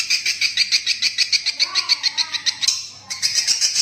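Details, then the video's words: Swiftlet lure call for attracting birds to roost: quick, high chirps about three to four a second, interrupted by a short gap before resuming, with faint lower sounds in the middle. "suara panggil burung walet untuk mengginap kan paling ampuh"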